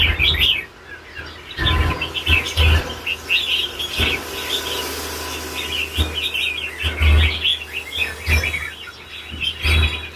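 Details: Red-whiskered bulbul delivering a lân bổi già song: quick runs of chirped and warbled notes, nearly continuous, with dull thuds heard repeatedly underneath.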